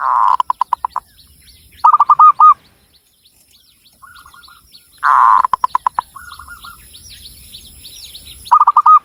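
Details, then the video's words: Zebra dove from Cilacap, Central Java, a local Javan bird: each phrase opens with a harsh rolling burst and continues into rapid hooked coos, with soft notes in the gaps and faint background clicks. "SUARA BURUNG PERKUTUT LOKAL JAWA GACOR"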